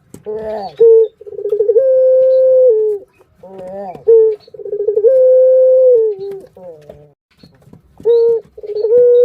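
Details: Barbary dove kept as a pet, its call used to stimulate other birds: a clear cycle repeated about every three seconds, a short rising note, a fluttering roll, then a long steady coo falling at the end.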